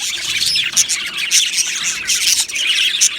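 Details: Budgie colony in an aviary chirping and singing, bursts of loud raspy squawks and bright high chirps rising and falling in waves over a short stretch of constant chatter.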